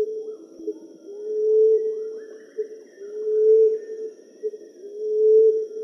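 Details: Common emerald dove giving low, soft, mournful coos, each a short soft note followed by a long hooting tone that swells and rises slightly, repeated about every two seconds over a faint hiss.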